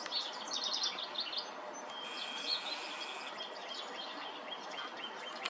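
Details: European robin singing: a short cluster of high, thin, varied notes early on, then a longer shimmering warbled phrase in the middle, set against steady background hiss and other faint birds.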